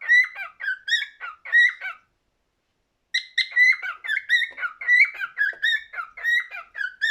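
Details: Cockatiel singing in bursts of warbled whistles, a second of silence breaking the phrases before the whistling resumes in rapid, harmonic-rich notes.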